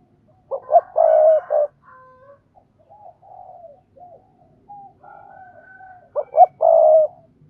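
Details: 'Thúc gù' coo of a spotted dove, meant to teach freshly caught doves to coo: two rounds of loud, rough, rapid coo phrases with quieter wavering notes between them, each round ending in a long held coo.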